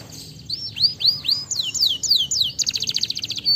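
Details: Canary singing, meant to encourage lazy canaries to sing: arched whistled notes give way to steep descending sweeps, then a fast buzzy trill of rapid repeated notes near the end, over a quiet low rumble.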